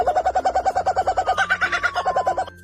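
A Laughing Kookaburra gives a fast, chuckling run of about five hooting notes a second, rising into higher cackles midway, then falling back.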